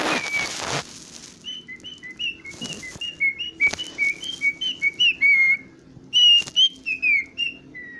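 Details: Cockatiel whistling a rapid run of short clear notes, roughly one per second and quickening, alternating higher and lower pitches, followed by longer swooping whistles; a soft rustle opens the recording.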